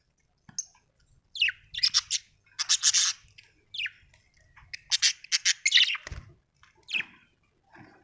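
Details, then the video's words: A happy budgie chirps in clusters of scratchy, noisy notes and falling squawks, with short pauses between bursts and a soft low thump midway. "Happy budgie chirping sound"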